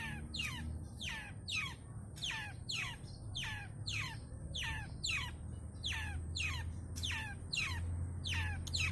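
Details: Long-tailed shrike song full of varied phrases, used to draw out other shrikes: sharp downslurred notes repeated about once a second over a steady high whine and low background rumble.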